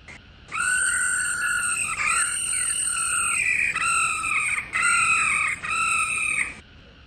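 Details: A female laughingthrush, recorded to excite and stimulate male birds, gives loud, harsh, rolling phrases with a nasal, rasping tone, in bursts of a second or so with brief breaks.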